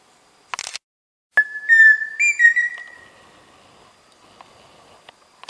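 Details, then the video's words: Pheasant cuckoo, locally peixe-frito, gives a clear whistled phrase: a long steady note, then a quick series of short notes rising slightly and tailing off. A brief rustle comes before it, with faint clicks afterwards. "Som de Peixe-frito / Dromococcyx phasianellus"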